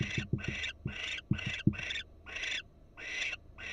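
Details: Wild barn owls at a Florida nest box camera, the female alert and perked up: breathy, raspy hissing bursts repeated roughly twice a second, mixed with low knocking thumps in the first half.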